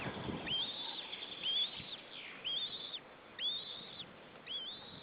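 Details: One White-tailed Eagle chick calling from the nest in Estonia on 25 April 2013, giving five piping, upslurred whistles roughly every second, with a brief rustle at the start and constant low hiss behind.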